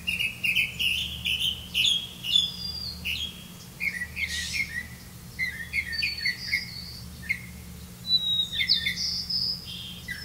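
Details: Grey-capped greenfinch feeding its young on crickets; a busy stream of twittering chirps, quick slurred notes and short buzzy trills, some rising sharply, with a faint hum underneath.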